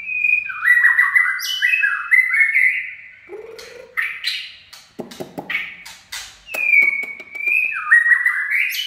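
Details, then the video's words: White-rumped shama singing in the chạy cầu style: rich whistled phrases sliding downward in stepped runs, broken by brief clicks and short harsh notes, then a sustained level whistle that flows into more descending slurs. "Chích chòe lửa chạy cầu shama run"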